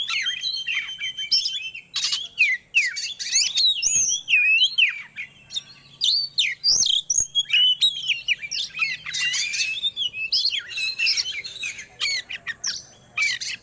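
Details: Long stretch of magpie-robin lure song for breeding condition: dense rapid twittering and sweeping whistled slurs in unbroken phrases, occasional short gaps, with one or two low thumps in the background.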